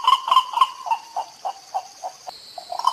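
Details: White ibis in Costa Rica, seen in 2021 on trips to national parks, filmed with a Fujifilm XH1 camera: a series of about ten nasal, honking notes, loud and quick at first, then slowing and fading.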